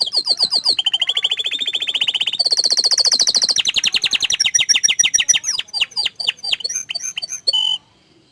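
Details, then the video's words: Canary singing long, fast, loud trills that shift pitch several times, ending with crisp separate notes and a final short whistle before silence. "Suara Kicauan nya Mantul Sekali tapi Sayang Kenari ini"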